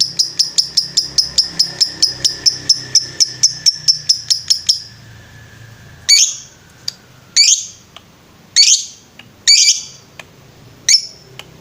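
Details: Lovebird heard on a master recording for training birds: a long steady series of sharp high chirps, then silence broken by a handful of short buzzy bursts at irregular intervals.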